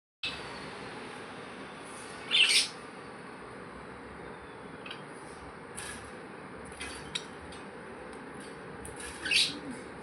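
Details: A budgerigar gives a few short, bright chirps in the morning over a steady hiss of background noise.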